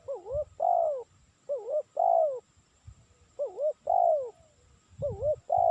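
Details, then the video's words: Spotted dove call, a recording played to lure birds: four repeated phrases in six seconds, each two quick wavering coos followed by a longer, downslurred coo, with soft low thumps between phrases. "Suara Burung Tekukur Cocok Untuk Mikat"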